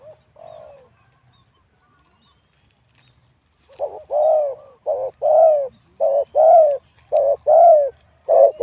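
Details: Wild-caught spotted dove singing in competition, its voice medium to large. One soft phrase gives way to a pause, then a run of paired notes: a short clipped coo and a longer rounded coo, repeated five times. The background is quiet.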